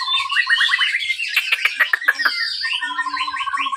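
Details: Captive-bred white-rumped shama from a breeding farm in Pangandaran, its song used as a lure to stimulate other birds: clear repeated whistled notes, a dense burst of sharp clicks and varied phrases, then steady repeated whistles.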